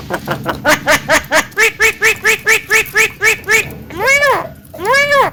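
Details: Chatty Javan myna, a caged contest prospect said to be talkative and able to talk, gives a run of about a dozen evenly spaced, nasal harmonic notes, then two longer arched, wavering calls.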